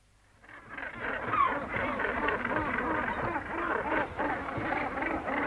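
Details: Gannet colony recorded at medium close range, a dense chorus of harsh overlapping calls building from near silence, with herring gulls calling close by and kittiwakes in the background.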